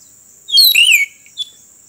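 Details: Oriental magpie-robin singing beside a road during a bird-trapping outing: one burst of bright, high whistled and warbled notes, including a rising slurred phrase, then a single short chirp after a pause.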